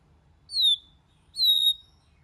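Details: Two long, bright whistles from a white-rumped shama, each sliding slightly downward, about one second apart, in quiet surroundings.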